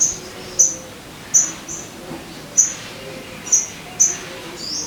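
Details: Sogon singing as bait to make caged birds sing quickly: six sharp, high, piercing chirps at uneven intervals under a second apart, over a quiet hissing background.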